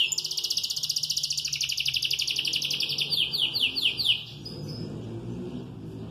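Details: Moulting canary that keeps singing all day: fast pulsed trill for about three seconds, sliding into a series of quick descending whistled sweeps, then ending, with faint low background rumble afterward.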